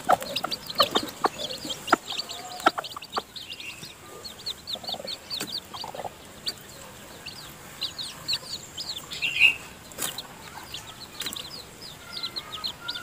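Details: Newly hatched chicken chicks being fed by the hen in their nest. Long stretch of high cheeping broken by sharp pecking clicks and the odd soft low cluck.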